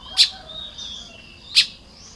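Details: Common Baya weaver building its nest on the morning of 1 May 2026 in Lopburi, Thailand; two sharp, high chirps about 1.4 seconds apart over quiet background.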